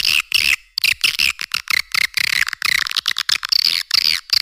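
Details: Edible-nest swiftlet calling sound meant to lure swiftlets: short bursts of shrill, rattling twitter repeated several times a second, separated by tiny gaps.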